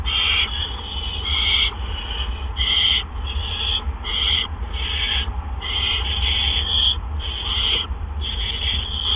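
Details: Barn owls in their nest around 8 PM on 17 April 2013 while prey is brought in; a long series of short hoarse hissing screeches, a dozen or so, repeated at irregular intervals above a low hum.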